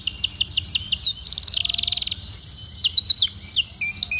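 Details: Canary master song for young canaries learning to sing, special phrasing: quick chirped notes, a loud buzzy rattling trill, then crisp whistled slurs and short rolled phrases.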